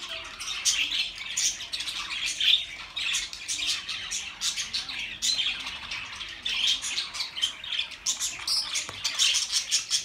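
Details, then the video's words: Pet budgerigars heard as company for lonely birds: steady high chatter of buzzy chirps and squeaks, rapid short notes pouring out over ten seconds, many birds at once. "Budgie Sounds for lonely Birds"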